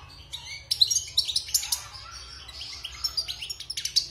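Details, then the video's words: European goldfinch taken from the wild and caged after its moult, giving quick, scattered high twitters and thin tinkling notes, louder early and softer toward the end. "Chant de Chardonneret sauvage (Repassage)|غناء حسون خلوي خارج من تغير الريش"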